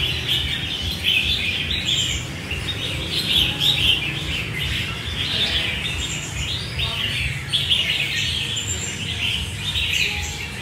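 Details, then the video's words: Red-whiskered bulbuls being chosen by a buyer chatter in dense, overlapping high-pitched chirps and short warbled phrases with no pauses, over a faint low background rumble. "Lựa mua chào mào"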